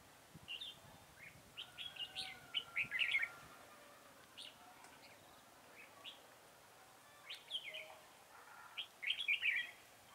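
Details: A red-whiskered bulbul serves as a decoy bird for trapping, recorded in Vietnam on 4 February 2018. It gives two bursts of bright, quick chirps and warbled phrases, each lasting about two seconds and spaced about six seconds apart. A faint, soft call is heard between them.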